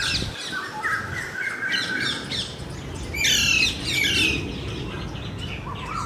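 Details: Alexandrine parakeet (Psittacula eupatria) in Kolkata, India, gives harsh, grating squawks in rapid overlapping bursts, loudest midway, over a steady low outdoor rumble with faint chirps from other birds.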